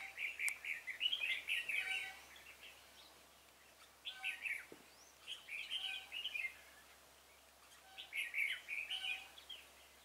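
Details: Decoy red-whiskered bulbul singing to lure wild birds at a trap on 26 February 2018. Rich, chattering warbled phrases come in clusters at about four-second intervals, with quiet gaps and faint thin notes from other birds.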